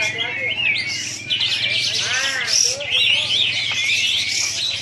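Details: Contest-champion Sooty-headed Bulbul performing besetan at a launching event in Singkawang: dense, fast, high twittering and trilling phrases pour out continuously, with a brief lower harmonic voice-like sound midway.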